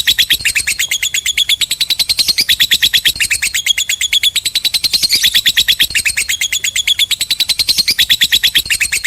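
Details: Lovebird in a long ngekek chatter, a continuous high, harsh rattle of rapid clipped notes, about five per second, held unbroken for over nine seconds.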